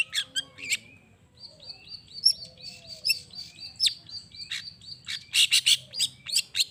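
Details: Long-tailed shrike song used to provoke other shrikes into answering: a varied run of sharp chips and short thin whistled phrases, fast and irregular, with a soft low hum beneath.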